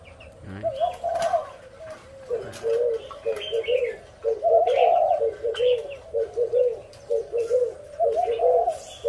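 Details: Spotted dove giving low, repeated, throaty coos in rhythmic phrases, with higher chirps from other birds and a steady background hum.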